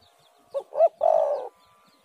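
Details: Spotted dove, locally tekukur or derkuku, calling as a lure for other doves: a clear three-part coo, two quick rising notes then a sustained, slightly wavering final coo lasting half a second.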